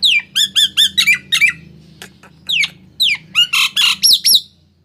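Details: Nias hill myna kept as a cage bird, its sound played to prompt silent mynas to start singing: loud harsh squawks and rising whistled notes in quick bursts, with a faint low hum underneath.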